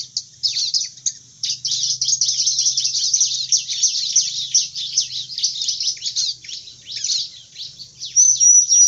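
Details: Bar-winged prinia song: a dense, almost unbroken run of rapid, sharp, high-pitched chirps and scratchy twitters, with thin whistled notes near the end and a faint low hum underneath.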